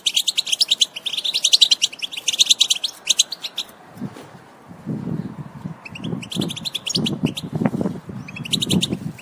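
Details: European goldfinch sound for encouraging other goldfinches to sing: fast high twittering in the first seconds, then sparser chirps over low thumping, rumbling noises in the second half.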